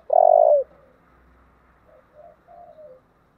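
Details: Spotted dove with a thổ voice, thúc and gáy gọi calling. A powerful, long first coo, then a string of soft, short notes ending in a slurred falling coo.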